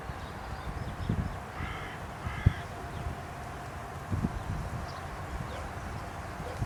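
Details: Carrion crow perched on a post in Aranoltza, Zamudio, Txorierri, Bizkaia, giving two short harsh caws in quick succession early on, over steady low rumbling background noise with a few knocks and thumps.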